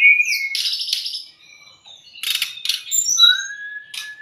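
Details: Brown-chested jungle flycatcher, played to tutor and stimulate caged birds: a high whistle, then a buzzy burst and scattered sharp notes, ending in a long, clear, slightly rising whistle.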